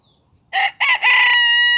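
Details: A Cochin rooster in a park gives a loud crow: two short harsh syllables, then a long steady held note that ends abruptly.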